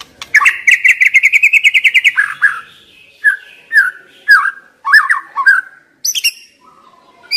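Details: White-rumped shama used as a lure to spark song in stressed young wild birds. It gives a fast, even series of about fourteen bright repeated notes, then looser whistled and warbled phrases with short gaps and a high squeaky note.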